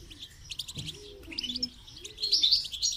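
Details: A goldfinch being trained to sing with motivational rewards twitters in quick, bright, high chirps and tinkling notes, with soft low cooing tones underneath.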